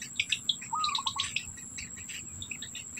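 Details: Black bittern with young, the parent keeping food in its mouth; a short stuttering rattle sits under loud, rapid high chirps and a steady piercing insect whine.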